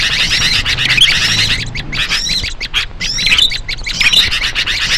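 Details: Calls of small birds played to lure other small birds: high, scratchy chirps and thin curved whistles in bursts, partly smeared by steady hiss and a low background drone.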